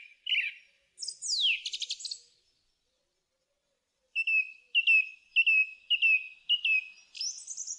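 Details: Song thrush singing: a few varied whistled and scratchy phrases, then after a pause a short clear note repeated about six times in quick succession.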